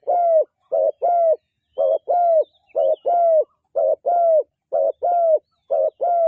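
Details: Dove cooing in a call described as a chasing sound: low hooting notes in pairs, a short coo then a longer, slightly falling one, repeated about once a second over a quiet background.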